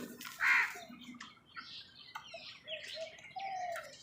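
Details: Crows fighting with other birds for food: a single loud, harsh caw early on, followed by softer scattered bird notes and low drawn-out calls against quiet outdoor background.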